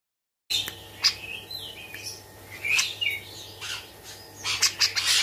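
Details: Tame captive Bearded bulbul singing actively, its song filled with grejaan imitations; bright varied whistled phrases and sharp chirps, some slurred downward, spaced irregularly after a short silence, over a steady low electrical hum.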